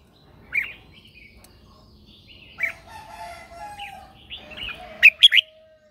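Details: Red-whiskered bulbul lure bird calling others during morning training; spaced warbling phrases with a lower steady tone in the middle, finishing with two or three loud, sharp chirps.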